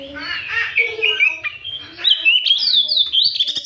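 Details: Oriental magpie-robin song used as a lure to provoke other magpie-robins, recorded in the afternoon: varied loud whistles and chirps, with rising and falling notes climbing into sharp high sweeps toward the end.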